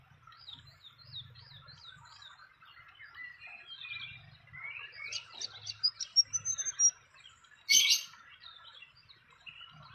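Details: Fantail calling near its nest in the wild: a quick series of repeated rising-falling high notes, then varied sweeping whistles and sharp chips, with a brief loud rustle midway.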